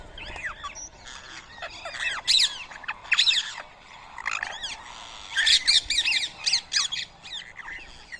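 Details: Rose-ringed parakeets feeding on soaked boiled rice at 7 AM in Coimbatore, India, 31 March 2024; several birds give overlapping screechy squawks and bent, slurred calls in irregular loud clusters.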